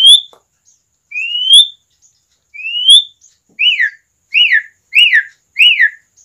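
Asian pied starling singing three long, clear rising whistles, then four quick rise-and-fall whistled notes a little over half a second apart; nothing else is heard.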